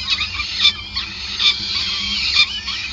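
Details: Peregrine falcon nest in Groningen, Netherlands, during feeding on 5 May 2020; brief high-pitched squeals with three sharper peaks.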